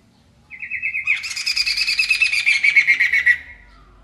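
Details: Masked laughingthrush singing energetically: a thin buzzy trill leads into a loud, coarse, rapidly pulsed chatter lasting over two seconds, dropping slightly in pitch at the end.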